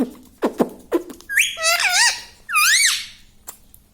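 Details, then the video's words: Pet parrot indoors, talking words such as mummy and papa; a few sharp clicks, then wavering harmonic syllables rising and falling, a second voice-like phrase, and a final click. "parrots talking papa"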